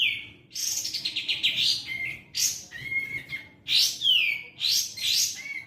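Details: Sooty-headed bulbul in vigorous song: a fast rippling run of notes, then loud bursts each followed by a clear falling whistle.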